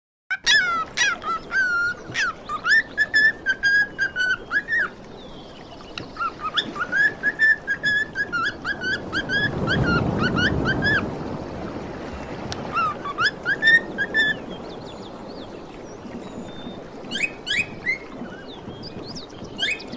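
Cockatiels sing bright whistled phrases, rising and falling, repeated in quick bursts with chirps between.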